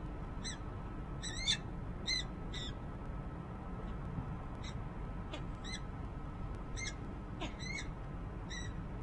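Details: Female peregrine falcon on a nest ledge at the Rachel Carson building, Harrisburg, Pennsylvania, January 2013, possibly calling to a male off camera: scattered, fairly faint harsh chips, clustered early then sparser, over a constant low rumble.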